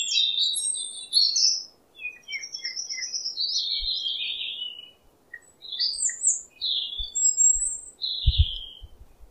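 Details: White-rumped shama song used as a lure to coax a stressed bird that is reluctant to sing: a lively run of high whistled and chattering phrases, rising and falling, with short pauses between bursts and a few soft low thumps near the end.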